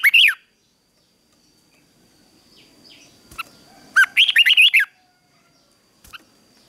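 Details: Red-whiskered bulbul morning fighting song for training: a single short bright phrase, a long quiet gap, then a rapid chain of warbled, bouncing whistles, with a faint click afterwards.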